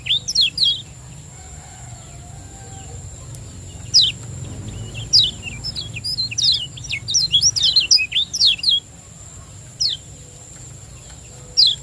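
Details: Lure song of a Lombok lemon-bellied white-eye in the 'ciak joss' style, used to coax lazy birds to sing: scattered sharp high chirps and brief twittering clusters, busiest in the middle, over a faint continuous electronic tone.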